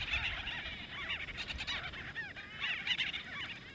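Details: A group of white-fronted bee-eaters fighting over nesting space, Kruger National Park, South Africa: dense overlapping squeaky chirps in clustered bursts, with a soft low rumble underneath.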